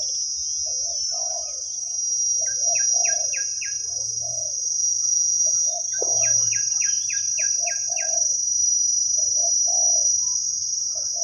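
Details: Wild spotted dove answering a decoy, its big khu-ang coo heard as a series of soft, low hoots spaced about a second apart. Two runs of falling chirps from another bird and a shrill insect hum run throughout.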